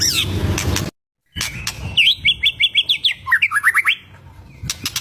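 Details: White-rumped shama singing to provoke rivals: after a short gap, a fast train of about a dozen crisp whistled notes repeated evenly, then a sliding trill, ending in softer background noise.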